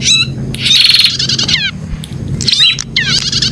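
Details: Prinia song: a loud rasping buzzy trill opens, then falling slurred notes and a second buzzy, chattering phrase, all over a faint low hum.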